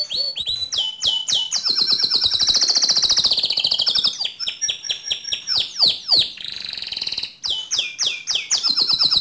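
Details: Canary in vigorous training song for other canaries: quick swept notes lead into a long loud rolling trill, then rapid chips, a lower buzzy trill and further falling whistles.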